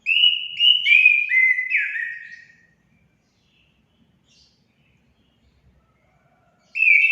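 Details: Song of an orange-headed thrush, played to encourage pet birds to sing: a short run of clear descending whistled notes, then four seconds of silence before the phrase begins again.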